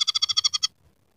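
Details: Scaly-breasted munia, locally emprit peking, singing actively in a training recording for songbirds, its song mixed with canary, sparrow and red siskin sounds: a quick burst of eight buzzy, nasal notes in a steady run, then silence.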